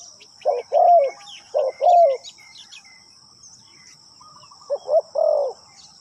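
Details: Spotted dove used as a caged decoy, calling to lure wild birds in a ground trapping setup. It gives low, hollow cooing phrases in two bursts, with soft high chirps of small birds and a steady insect hiss behind.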